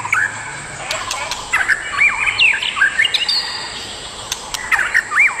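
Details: White-rumped shama pair in natural surroundings, adults, giving bright arching whistles and quick chirp sequences in short bursts, separated by pauses, with a persistent insect hum.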